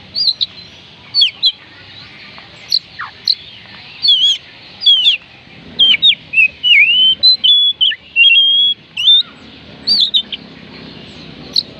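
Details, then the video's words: Oriental magpie-robin (kacer) song used to call up lazy, reluctant birds: a rich run of clear whistles, slurred notes and chirps, denser in the middle with a long steady whistle, over faint low background hum. "oriental magpie robin kicauan Kacer panggilan Kacer malas bunyi"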